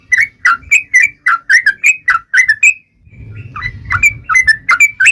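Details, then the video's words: Yellow-vented bulbul singing to taunt rivals, a quick series of whistled slurred chirps, a brief break, then more notes over a noticeable low rumbling background noise. "trucukan gacor MENGEJEK LAWAN"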